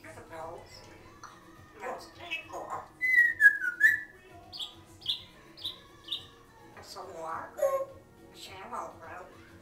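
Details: Pet African grey parrot, six years old, talking indoors, with a second pet grey parrot heard in the background: mumbled speech-like syllables, a bright whistled downward note, then a run of short repeated chirps.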